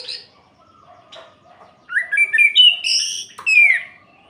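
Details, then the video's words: Orange-headed thrush singing at night to provoke other males: after a quiet start with faint low notes, a loud burst of rich, fluid whistled phrases with rising slurs and quick warbles fills the final two seconds. "Suara Ini Bikin Gerah Anis Merah Lain"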